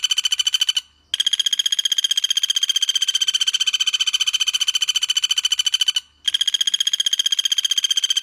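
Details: Masteran training recording with cililin and Common Flameback (pelatuk bawang) in close rapid-fire 'tembakan' singing. A fast, machine-like trill holds one bright pitch throughout, broken by two short silent gaps.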